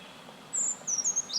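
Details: Brown Creeper call: very high-pitched, thin, sibilant notes lasting a couple of seconds, a few brief wavering seeps in quick succession.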